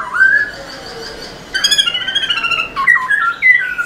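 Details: Vigorous tail-dancing song of a Black-throated laughingthrush, meant to stimulate other birds: a rising whistle, a pause, then loud fluty slurred phrases falling and rising in quick succession.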